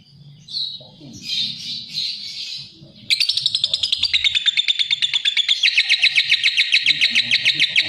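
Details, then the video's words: Lovebird song that opens with softer warbling, scratchy high notes, then breaks into a loud, rapid string of sharp chirps that keeps going to the end. "Suara Kicau Burung LOVEBIRD"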